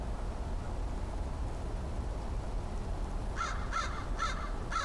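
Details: Cautious-sounding crow, the year's last crow visitor, October 13, 2013: four evenly spaced raspy caws arrive in the second half over a steady low hum.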